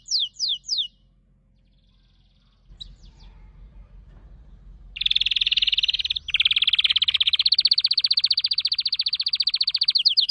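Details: Canary song opening with a few descending whistles, a pause with faint noise, then a long, loud, fast rolling trill that changes pitch midway.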